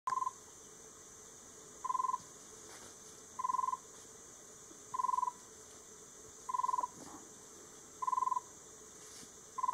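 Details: A Red-rumped tinkerbird (Pogoniulus atroflavus) gives pure, hollow, mid-pitched notes, one about every 1.6 seconds in a monotonous series, over a steady high insect hiss, in Semliki National Park, Uganda.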